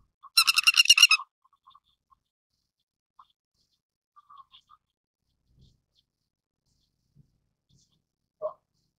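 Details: Grey-headed lapwing opening with a fast, scratchy run of about eight loud notes, followed by long quiet and one lower, softer note near the end.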